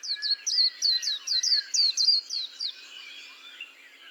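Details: White-eye delivers a quick series of around twelve high, sweet, descending whistles, about three per second, then trails off into a soft, quiet warble.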